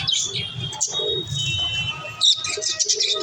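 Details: Budgerigars giving high chirps and a steady thin whistled tone, with a short descending squeak near the middle and a burst of sharper chirping toward the end over low background rumble.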